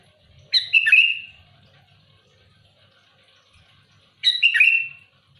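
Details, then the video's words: Loud, active sooty-headed bulbul challenging rivals with two bright bubbly phrases, each a quick jumble of notes sliding down to a drawn-out whistle, separated by several seconds of near silence. "Suara burung kutilang gacor keras aktif menekan lawan muntahin isian besetan kasar keras pedas"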